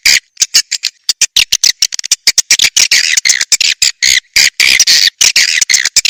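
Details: Swiftlet attraction call in the SP BJA style. Quick, choppy chirps build into nearly continuous raspy twittering after the first second.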